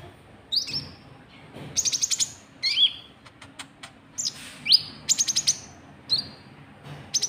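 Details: White-cheeked bulbul calls used to lure rival birds: short bright whistled notes alternating with rapid rattling bursts of clicks, repeated in quick irregular phrases over several seconds, with faint low background hum.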